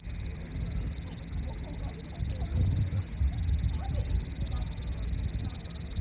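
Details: Pet canary singing beneath wisteria flower trellises in Nara Park, Japan: one long, very rapid, even trill held high and steady for the whole stretch, with faint low rumble in the background.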